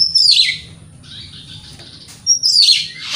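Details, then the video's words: Oriental magpie-robin song from a morning lure recording meant to provoke rivals: a falling, raspy whistled burst, a soft pause, then another loud sweeping, scratchy phrase; faint constant hum in the background. "Pancingan Kacer Gacor Pagi Hari Bikin Lawan AUTO NYAUT!!! Ikut Emosi"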